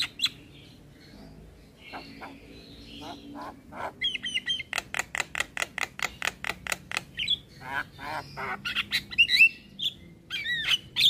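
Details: Black-winged starling in a training and lure recording for caged starlings. Rapid, even clicking chips build into a steady series, followed by squealing whistles and rasping notes.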